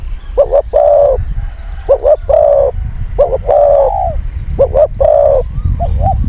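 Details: Spotted dove luring wild birds as a decoy, delivering soft repeated coo phrases, a brief doubled note then a drawn-out coo, several times over, against low rumbling background noise.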